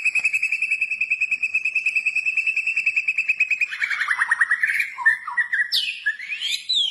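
A white-rumped shama delivers a long rapid trill of high ringing notes, about three per second, then breaks into varied slurred whistles and sweeping phrases.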